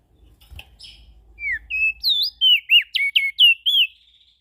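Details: Ashy prinia giving a steady, loud series of about nine high, whistled notes, sharply bent up and down, at roughly four per second, after a few soft chips and a light knock.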